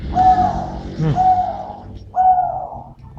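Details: Medium-voiced dove giving three level, hollow coos about a second apart, each ending in a slight downward slur, with a soft low hum underneath.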